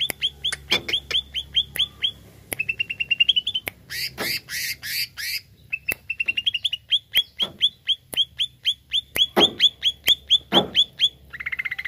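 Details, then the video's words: Greater green leafbird song played to provoke a kept bird: rapid series of sharp, downslurred whistled notes repeated about twice a second, broken by buzzy rattling phrases and a short warbled ending. "HANYA PLAY CUCAK IJO INI UNTUK PANCING EMOSI IJO ANDA"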